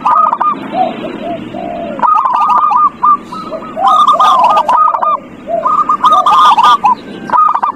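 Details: Lure song of a zebra dove, used to make a reluctant dove start singing; bursts of staccato cooing notes that roll into trills, coming in quick succession, mellow lower coos beneath and sharp clicks now and then.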